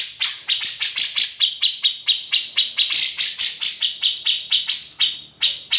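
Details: A grey-cheeked bulbul delivers its characteristic ngetril and ngepik phrases, used as tutor song for shamas and leafbirds: rapid, irregular high chips and short trills, bright and sharp, pouring out without a break.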